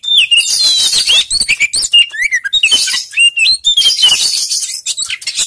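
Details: Oriental magpie-robin song used as a lure to prompt a reluctant bird to sing: rich, varied whistled phrases with rising and falling slurs, interspersed with dense scratchy, buzzy bursts, continuous and loud.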